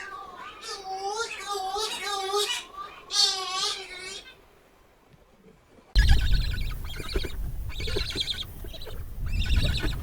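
Cory's Shearwater giving a run of wavering, nasal, almost human wailing notes, then an abrupt switch to a harsher, noisier stretch of calling.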